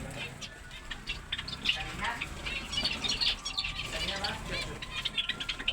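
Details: Small finches chattering together, with a dense stream of short, high tweets and soft trills that overlap throughout, a low background hum beneath.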